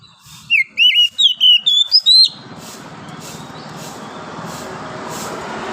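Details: A wild forest oriental magpie-robin at morning gives a brisk phrase of six or seven bright whistled notes, slurred and rising, before the song stops and a broad hiss of background noise takes over.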